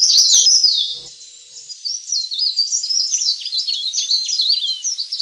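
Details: Leaf warbler lure recording for attracting wild birds: a busy run of high, thin twittering notes and quick slurred whistles, loud at first, briefly fading near one second, then resuming as a steady chattering stream.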